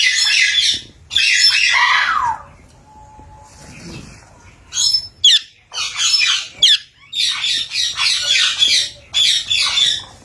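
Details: Green and blue pet parrot giving loud, harsh, noisy squawks in bursts of about a second, separated by short pauses, with a few brief whistled notes in between and quieter gaps midway.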